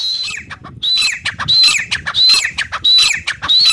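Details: Grey francolin, locally called teetar, giving loud, harsh, high-pitched notes in a rapid run, each phrase a strained squeal with a downward slurred tail, about one and a half per second, with low rumbling background noise.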